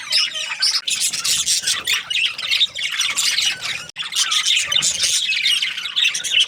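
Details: Nonstop budgie chirping: many shrill, buzzy notes overlap in a busy, steady babble, broken by one momentary gap.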